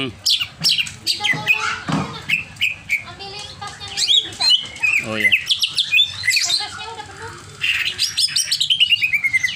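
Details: Highly agitated caged greater green leafbird producing a long, varied outpouring of harsh chips, slurred whistles and mimic-like phrases, ending in a fast series of repeated high notes.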